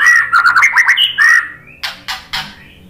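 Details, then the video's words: White-rumped shama song used as a lure to provoke other birds into singing: a quick run of clear, rich whistled notes, some slurred up and down, then three harsh, rasping bursts spaced about a quarter second apart. "SUARA KICAUAN MURAI BATU bikin NYAUT jadi GACOR NGEPLONG ¦ PANCINGAN MURAI BONGKAR MATERI"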